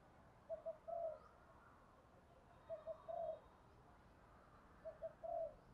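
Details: Spotted dove calls used to draw in wild doves: three low, mellow phrases, each two quick clipped notes followed by a longer throaty coo, spaced about two seconds apart against faint steady background noise.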